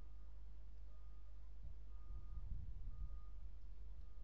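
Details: A reversing truck beeps at intervals over a low engine rumble, with no animal voice.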